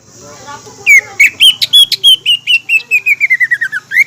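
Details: Green leafbird lure song meant to make other leafbirds sing and become agitated. After a soft start comes a rapid run of loud whistled notes, each slurring downward, the pitch gently falling through the series. A constant high-pitched hiss continues in the background.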